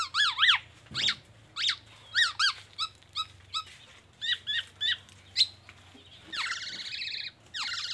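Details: Black-naped oriole song copying an oriental magpie-robin and an ambulance siren; crisp, separate chirps and slurred whistles, some paired, followed by a wavering, siren-like warble near the end.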